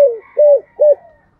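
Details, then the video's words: Spotted dove in the thổ voice style giving a falling note after an opening click, then two short rounded coos with faint higher tones behind them. "chim cu gáy giọng thổ gáy gọi hai hậu/ cu gay kich boi nhanh noi gù"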